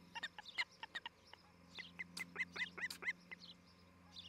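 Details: Osprey at a nest near Charlo, Montana, on the morning of July 11, 2018, recorded by a nest camera: scattered short, sharp chirps of mixed pitch, some loud whistled notes in a quick burst, over a steady low hum.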